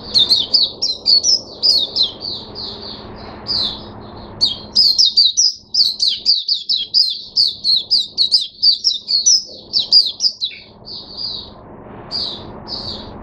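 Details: Oriental white-eye in a cage, recorded 5 May 2022, delivers a long lively song of rapid high slurred notes, rising and falling in fast chattering runs, breaking off near the end before a few final chirps.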